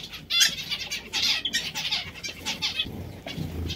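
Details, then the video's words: Zebra finches, several birds together: quick, thin chirps and short nasal notes overlap in bursts. Soft wing flapping and rustling are heard in the background. "Diamante mandarino | Zebra finches"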